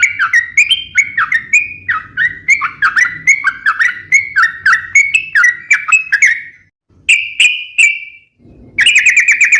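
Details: Sooty-headed bulbul song kept for luring and training other birds: rapid chattering run of short bubbly notes around mid pitch for six seconds, then two clearer sustained whistled phrases after a brief pause, with faint low background hum.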